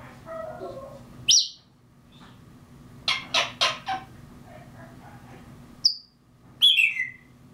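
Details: African grey parrot imitating mockingbirds: a mix of sliding whistles, a sharp high note, then four loud harsh buzzy bursts in quick succession, followed by more high chirps and a downslurred whistle over a steady low hum.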